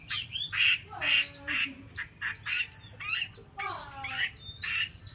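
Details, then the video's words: A female Chinese hwamei gives harsh, raspy squawks about twice a second, mixed with short falling whistles, over a low background hum. "con chim họa mi mái"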